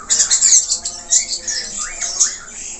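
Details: Australian parakeet (budgerigar) in full gacor song packed with varied notes: loud scratchy high chatter mixed with repeated arched chirps, sounding in quick bursts.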